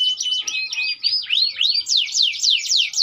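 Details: AF canary in full, lively song, pouring out rapid high whistled sweeps that rise and fall, several per second, in a continuous bright warbling run.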